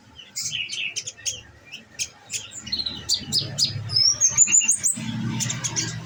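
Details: Caged olive-backed sunbird on nectar feed, delivering quick 'nembak' bursts: sharp high tweets repeated about three per second, ending in a thin, rising whistled glide, with faint low background rumble.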